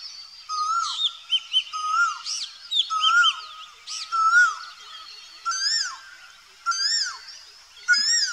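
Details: Asian Koel calling: a clear rising-then-falling whistled note repeated about every 1.2 seconds. Busy higher-pitched chirps and twitters from other birds run throughout.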